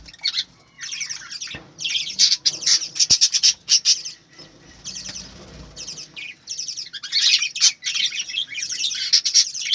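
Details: Flock of farm-kept budgerigars producing loud, overlapping high chirps and grating warbles in bursts, with a quieter stretch in the middle and a few clicks.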